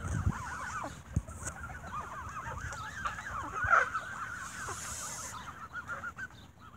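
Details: At evening feeding time, geese given bread squabble noisily, packing the air with rapid overlapping honks. A few low thumps and one sharp, loud honk near the middle stand out.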